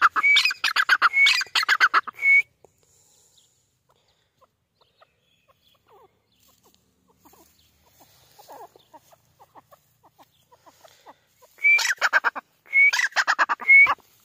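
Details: Grey francolin, or Irani teetar, gives two bursts of loud, rapid harsh notes with short rising whistled notes, separated by about nine seconds of near silence with faint distant chirps.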